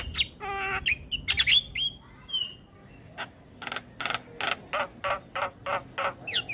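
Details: Full isian song from a young black-winged starling: nasal squawks and clear whistles at the start, then a steady run of evenly spaced harsh, noisy chucks roughly twice per second.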